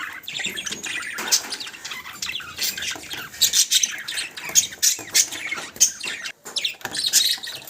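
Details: Pet budgies keep up harsh, scratchy squawks and clipped chirps in uneven bursts, with short pauses breaking up the chatter.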